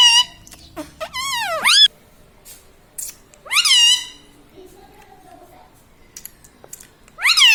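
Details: Talking pet Indian ringneck parakeet laughing: harsh rising squeals and arched squeaky notes separated by quiet gaps with faint clicks, indoors.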